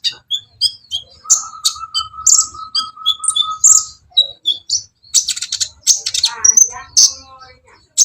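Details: Copper-throated sunbird (kolibri ninja) in lively song: thin high chirps and quick twitters, accompanied for a few seconds by a steady, level mid-pitched whistle tone, then a dense burst of mixed high notes.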